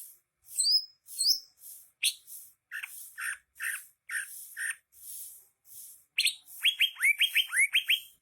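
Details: A cucak hijau, the greater green leafbird, singing busily: a few bright upslurred whistles, a steady series of short clipped chirps, then a quick cascade of downward-curving whistled notes repeated in fast succession.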